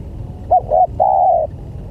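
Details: Spotted dove lure call for attracting other doves: a single phrase of two short, quick low notes leading into one long, even coo lasting about half a second, with faint low rumble behind.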